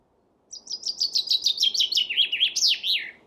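A chaffinch sings a bright, rattling run of about a dozen quick notes that step down in pitch, closing with a sharp, flourished ending.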